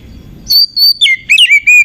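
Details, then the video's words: Kacer (Oriental magpie-robin) female as a lure to stir males: a short loud burst of sustained pure whistles, first level and high, then dropping into lower slurred notes, five distinct syllables in under two seconds. "KACER EMOSI TINGGI || Pancingan Kacer agar Emosi buat Dongkrak emosi kacer yang kurang sumringah"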